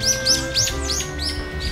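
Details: A female Mugimaki Flycatcher on autumn migration, at a small brook in Seoul Forest city park, gives six high, thin, slurred chirps, about three each second, over a steady low hum and faint background music.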